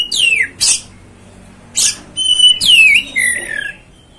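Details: Oriental magpie-robin provoking sound: long clear whistles sweeping downward between sharp harsh bursts, with a steady held whistle and a lower slurred note near the end.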